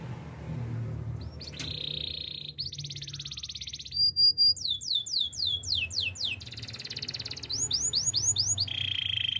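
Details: Canary song used for training canaries: buzzy rolled trills near mid-high pitch, then swift slurred notes and fast repeated upswept whistles, over a faint low hum.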